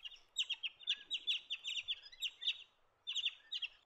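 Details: Blue Bonnet, feeding on the ground, utters a fast run of about twelve sharp, scratchy notes, pauses briefly, then adds a shorter burst of four or five; quiet setting.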